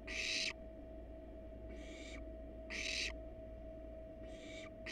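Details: Wild barn owls at a monitored nest box, both parents resting on the box with nestlings inside; four harsh, breathy hissing bursts, each about half a second, separated by pauses, over a steady low electrical hum.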